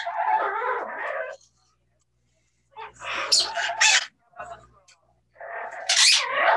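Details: Two parrots kept at a bird safehouse, reportedly speaking English phrases like "Are you ok?" to each other; murmured, speech-like babble, then a cluster of harsh high squawks and another raspy phrase.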